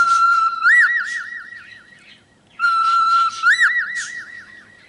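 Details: Pet cockatiel recorded in a single take whistles a clear tune twice: a steady held note that breaks into a rapid wavering warble, with the phrase repeated after a short silence.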